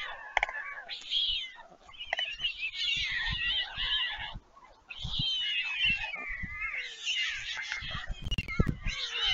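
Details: Returning stork siblings call at Leemansmolen, Vriezenveen, Netherlands, on 11 July 2022, as the parent at the nest feeds them. Continuous, shrill, wavering wailing runs almost the whole time, dipping briefly twice, over a scatter of low knocking sounds.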